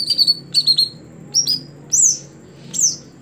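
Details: A short phrase from a greater green leafbird (cucak hijau) kept as a contest songbird: a few quick high chirps followed by two separate upslurred, whistled notes, sounding clear against a quiet background.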